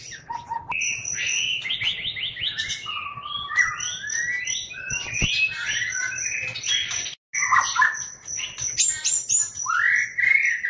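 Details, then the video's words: Medan white-rumped shama in loud crecetan style, pouring out rapid rattling runs of notes, clear high whistles and swooping slurred phrases almost without pause, with one brief break near seven seconds before an upward-sweeping finish. "Murai Medan Super Suara Crecetan Menggelegar"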